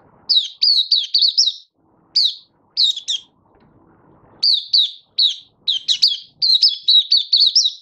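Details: Captive Malaysian white-eye singing on a warm, sunny day in Singapore, March 2023. Rapid strings of sharp, high chirps, each dropping slightly in pitch, come in clustered phrases broken by brief silences.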